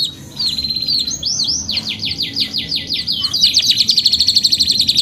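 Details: Long canary song: a soft high whistle, then a sequence of rapid down-swept notes, building into a loud, fast, rhythmic high trill that continues to the end.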